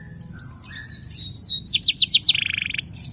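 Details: Vigorous local canary singing as a lure to set other canaries singing: quiet scattered notes, then a quick run of high descending swept whistles, finishing in a rapid, even buzzy trill.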